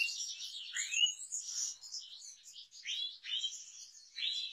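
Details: Song of a European goldfinch: lively tinkling twitter mixed with downslurred and upswept whistled notes, delivered almost without pause, clear and high.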